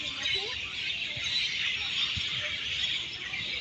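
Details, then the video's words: Large flock of birds roosting high in a leafy tree in Singapore in the evening, calling noisily; dense continuous high chirping chorus with a few lower whistled notes and faint background noise. "Pakinggan nyo guys ang huni ng mga ibon. Napakadami. Napakaingay nila."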